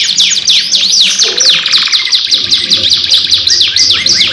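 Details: Canary lure song in the long, chatty 'gacor' style, a two-in-one recording: dense, unbroken high trills with rapid sweeping whistled notes, rolling several per second throughout, over a faint low background hum.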